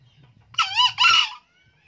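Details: Old male green junglefowl, an eager crower: a single strident two-part crow, a short harsh burst running straight into a longer scratchy note, about a second in all, over a low background hum.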